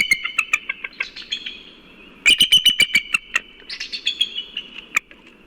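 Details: Male and female bald eagles at their nest early in the morning, both calling just after an owl struck the female and the male flew off to chase it. High, thin piping chitters rush in quick series, with sharp clicky pulses and a louder burst midway.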